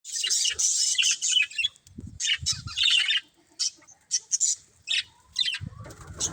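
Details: Breeding pair of pet budgerigars chirping: bursts of noisy, high chattering and squawky notes separated by short pauses, with faint low thumps between calls.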